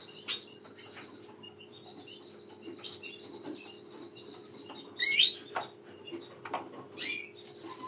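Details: A small flock of mutation-colour European goldfinches: a thin, high, steady whistled tone runs through, broken by short twittering chirps and one louder bright burst of notes midway, with soft scuffling and tapping underneath.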